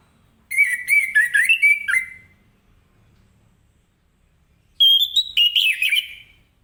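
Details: Orange-headed thrush in the morning, singing the ngeplong way to draw answers from other birds. Two bursts of rapid whistled notes, the first lower and rolling, the second higher and wavering, are separated by a few seconds of quiet.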